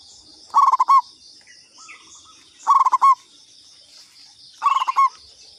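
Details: Local zebra dove (perkutut lokal, katuranggan) lure call: three short bursts of fast stuttered coos ending in a longer rolled note, roughly every two seconds, over constant high insect buzzing.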